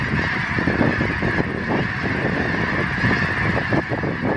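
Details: A flock of geese recorded September 25, 2014, honking constantly; many short, harsh, nasal notes overlap into a busy, unbroken clamor with a steady hiss underneath.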